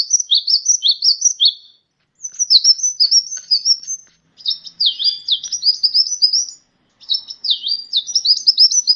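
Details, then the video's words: Training recording of sunbird song: rapid, jumbled high twittering phrases of about two seconds, each packed with sharp up-and-down notes, repeated after short silences; nothing else audible. "masteran burung gacoan, Kolibri"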